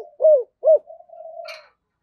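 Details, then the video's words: Spotted dove lure bird, 'thổ sấm' voice: two rounded, arching coos followed by a long, low, level hum that fades out. "cu gáy giọng thổ/ cu gáy giọng thổ sấm"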